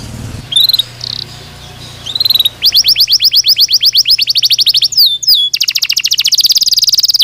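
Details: Belgian canary singing: a few sparse high whistled phrases, then a long rapid trill of evenly repeated notes, a brief rising slur, and a dense buzzy final roll.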